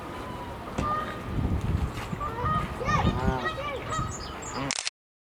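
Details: A single whooper swan staying several weeks at Attenborough Nature Reserve in 2020: loud bugling honks in quick overlapping bursts, with a low background rumble and murmur throughout.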